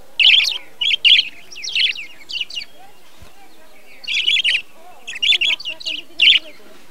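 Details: Budgerigars of a breeding colony, 2020: scratchy, buzzy warbled chirps in uneven groups, pausing for about a second between bursts, with faint background twittering.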